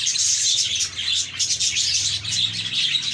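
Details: Budgies chirping happily, a thick layer of high, twittering notes and scratchy warbles running without pause, with a faint low hum underneath.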